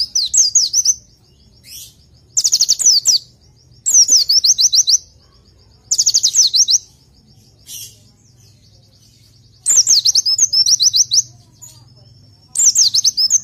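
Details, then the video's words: Oriental white-eye, kept as a tutor for other birds, singing in bursts of rapid high, sharply slurred whistles, each burst about a second long and separated by pauses, with faint thin whistles between. "Masteran Untuk Pleci"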